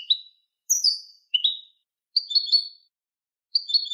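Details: Malagueño-style canary song for teaching birds. Sparse, clear, high notes sliding downward, given singly or in short clusters, with silent pauses between them.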